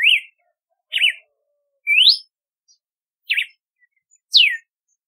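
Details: Red-cowled cardinal, locally called galo de campina or cardeal do nordeste, singing five clear, separate whistled notes about one second apart: rising slurs, quick zigzag notes and a final falling slur, against a quiet, clean background.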